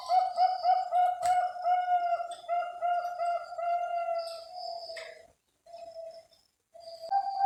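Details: Captive-bred Bangkok perkutut, the zebra dove, from various breeders; a rapid string of short, even coo notes repeated in a rhythmic pulse, then a pause and a few separate coos.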